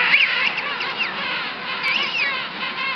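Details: King penguin colony of at least half a million birds at Salisbury Plain, Falkland Islands, on a sunny day: a dense chorus of overlapping trumpeting, warbling calls rising and falling without pause.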